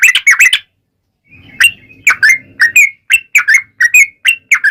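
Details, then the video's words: Lively yellow-vented bulbul song used as a lure so other bulbuls answer. Opens with a quick bubbly cluster, a short gap, then evenly spaced whistled chirps, some upslurred, about three each second. "SUARA trucukan gacor ROPEL PANJANG pancingan trucukan agar bunyi"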